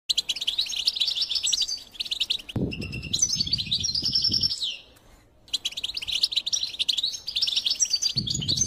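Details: European goldfinch singing a rapid, tinkling twitter of high, buzzy and liquid notes in bursts, broken by short pauses, with a brief low rumble partway through.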